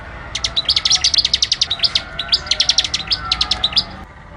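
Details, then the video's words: Bar-winged prinia singing actively, recorded as a training song: a fast run of about thirty bright, high chirped notes delivered in a steady, rattling stream for over three seconds, with faint background hum. "masteran suara ciblek gacor"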